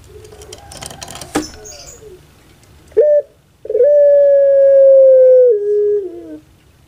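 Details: Puter pelung dove, a well-kept pet bird famous in Java, Indonesia. After some rustling noise, a short clipped note is followed by a long, steady, drawn-out tone that holds for nearly three seconds and then dips lower at the end.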